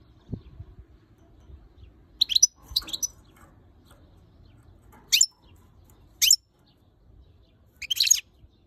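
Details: ['Female European goldfinch, angry at the camera, giving short sharp high chirps, single or in quick pairs, spaced one to three seconds apart over a quiet background.']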